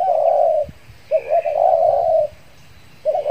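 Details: Trained lure spotted dove from Kepri, recently out of moult; one long burry coo, a pause, then a short dipping note leading into another drawn-out coo, and the start of a further phrase.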